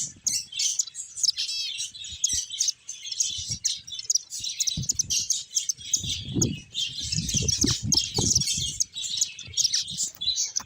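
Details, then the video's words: Captive finches chirping together, a dense chorus of high, rapid twittering and short tweets overlapping continuously, with soft low thumps and rustling from movement in the enclosure. "Cute Finches Chirping Sounds"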